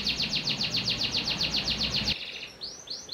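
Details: Panda canary kept without cage bars repeating quick sweeping chirps about six per second over a low hum, then two softer upswept whistles.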